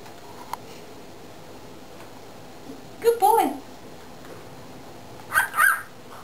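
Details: A male pet cockatiel playing with a mirror gives two brief bursts of warbling, speech-like chatter in a quiet room; he has learnt short tune snippets and sound effects.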